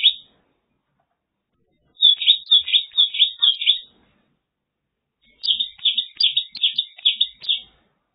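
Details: Mongolian lark (Melanocorypha mongolica) singing in China: two bursts of rapid, rich warbled notes around the upper-middle register, each phrase a quick jumble of trills and chirps lasting about two seconds, separated by silence.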